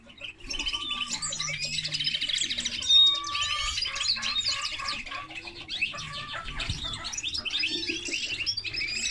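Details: Hybrid of common linnet and canary in sustained song, an unbroken stream of rapid twitters, trills and sharp whistles at high pitch, with soft low tones running beneath.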